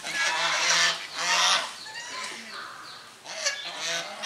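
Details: Loud braying honks from domestic swan geese drying off beside grey domestic geese, taped with a Sony HDR camera; two long noisy blasts, then softer short calls and another burst near the end.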